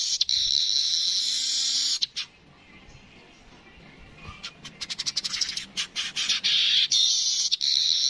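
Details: Streaked weaver song: a long, loud, buzzy hissing sizzle. It breaks into a quiet gap, then a run of rapid dry clicks speeds up before the sizzling buzz returns.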